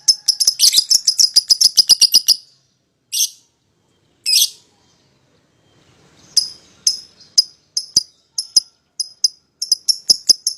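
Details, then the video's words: Pair of pied lovebirds as a singing lure for a rival: a rapid rattling series of high chirps, two short harsh bursts, then steady sharp tweets about twice a second. "PASANGAN LOVEBIRD PAUD,!Pancingan Memanggil Lawan Agar Ikutan Bunyi"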